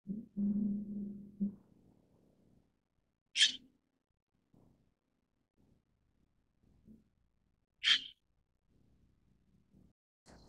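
White-cheeked Starling giving two short, harsh, rasping notes about four seconds apart, after a brief low hum; otherwise quiet with faint rustling.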